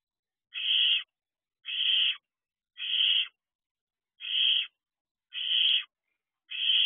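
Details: Barn owl owlets outside their nest box at 3 a.m., wild, on 6/2/23: harsh hissing screeches about half a second long, repeated roughly every second in a steady series, over a quiet background.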